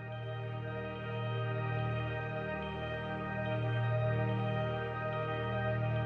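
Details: Soft ambient music with sustained layered tones and a steady low drone throughout, with no animal voice present.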